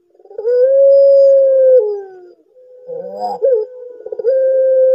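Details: Barbary dove of the pelung type, which calls both day and night, delivering a swelling sustained coo that droops at the end, a wavering rolled middle section and a final long even hoot; no other sounds.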